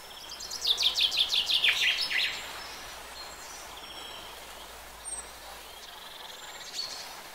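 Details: Common chaffinch delivers one gentle song phrase, a rattling cascade of repeated notes dropping in pitch and ending with a flourish. Afterwards only faint distant chirps and steady background hiss remain.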